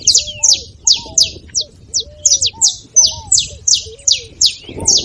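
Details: Saffron finch with a beautiful song for stirring a quiet canary to sing: steady series of bright, sharp downward chips roughly every third of a second, accompanied by soft low arched whistles.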